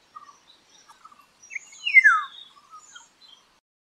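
A Slender-billed Oriole gives a single loud, slurred whistle that falls steeply in pitch. Faint chirps from other birds sound before and after.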